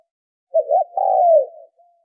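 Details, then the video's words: Single spotted dove coo phrase, used to lure and train decoy birds: a quick doubled low note runs into one long, mellow, gently falling coo lasting under a second, then a faint trailing whistle. "tiếng chim cu gáy kích mồi tập bổi hiệu quả"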